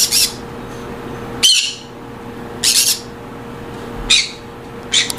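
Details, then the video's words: Aviary-kept monk parakeets under colony breeding squawk at intervals of about one to one and a half seconds, coarse buzzy bursts separated by quiet hum. "أصوات ببغاء المولينا في السلاكات والتربية الجماعية"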